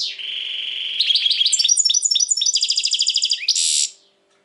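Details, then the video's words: European goldfinch singing, described as very tense these days, recorded in 2020: a long steady high note, then rapid twittering trills and buzzy repeated notes that end in a short harsh burst. "Saka kuşu ötüm"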